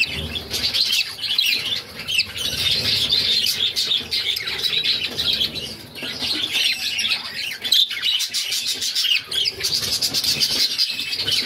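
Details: Six budgie chicks begging while fed by their mother; harsh, high squawky chatter rising and falling in waves, with a sharp squeak near the end.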